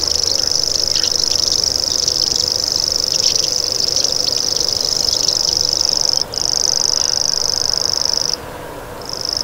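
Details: Common grasshopper warbler (Locustella naevia) reeling in a steady, high, insect-like buzz with two short pauses, other bird chirps scattered over the first half.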